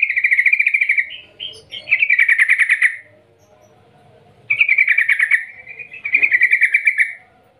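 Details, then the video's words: Lure call of a yellow-vented bulbul in the 'ngerol ngetir panjang' style: a series of rapid rattling trills and short whistles, falling quiet briefly before two more vigorous chattering bursts. "Panggilan trucukan gacor Ngerol Ngetir panjang - Ampuh untuk pancingan trucukan agar bunyi gacor"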